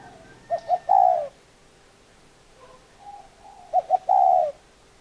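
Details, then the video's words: Spotted dove repeating its coo twice, about three seconds apart. Each phrase is two short notes and a long mellow note, with faint soft cooing between the phrases. "Tổng hợp tiếng chim cu gáy"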